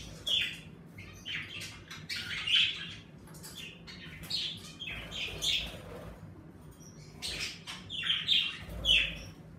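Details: In an indoor bird room, pet budgerigars energized by warming weather give repeated bright, piercing chirps mixed with scratchy chatter, loud peaks every second or two.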